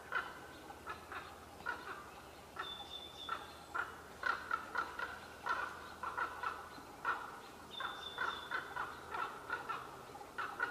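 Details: Two common ravens in trees at Qualicum Beach, May 23, 2011, in a talkative and at times quarrelsome exchange: steady streams of short, guttural knocking notes. Two drawn-out high whistles from another bird.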